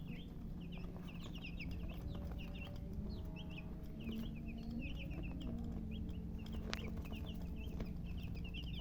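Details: Many young chicks give short, high, slurred peeps in irregular bursts, some overlapping, above a low background hum and occasional faint knocks.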